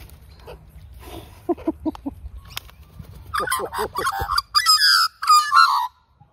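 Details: Two female Australian magpie siblings at a local reserve during a morning hand-feeding session, one singing and very chatty: loud, harsh, nasal calls in quick overlapping bursts after a few soft clicks, with a person speaking quietly.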